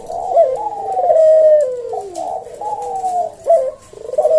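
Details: Slow 'senggang' style 'kuk deruk' song of a caged Javan collared dove, recorded to tutor other cage birds: soft, mellow coos that slide downward, linked in a drawn-out phrase, with a brief rising note near the end.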